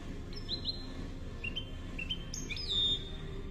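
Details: European goldfinch Málaga copia song used to train fledglings: bright sliding whistles and a few short rising notes, then a higher trilled flourish, over a constant low rumble.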